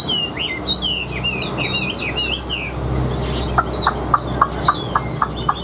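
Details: Captive Chinese hwamei pouring out rapid, fluid whistled phrases with wavering, looping notes; midway the singing gives way to a series of sharp, evenly spaced clicks about every quarter second.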